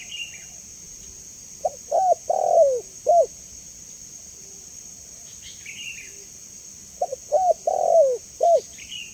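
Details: Two spaced phrases of spotted dove cooing, used to lure and train doves, about five seconds apart, each with quick soft notes and a long falling coo; a small bird chirps higher in between, with steady background hiss.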